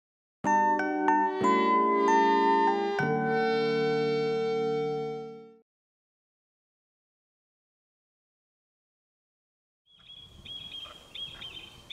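A bright chiming mallet-percussion jingle rings out and fades, then silence gives way to faint outdoor background noise with no clear animal call.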